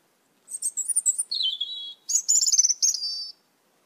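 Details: Asian glossy starlings, red-eyed, many raiding papaya plants in a yard; a run of quick high chirps, a lower drawn-out wavering whistle, then a buzzy, rattling squeaky series ending in a thin whistle.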